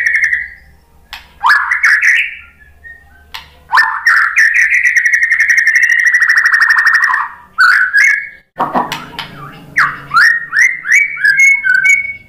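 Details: White-rumped shama provocation song, used to make other shamas answer and sing: loud rising whistles run into long buzzy, rapidly pulsed trills at mid pitch, broken by short pauses and a burst of harsh, lower chattering.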